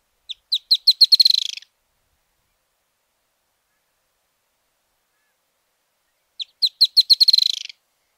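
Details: Argentine Narrow-billed Woodcreeper singing twice: bright, high notes that rapidly accelerate into a dense, falling trill of just over a second, with long silent gaps between phrases.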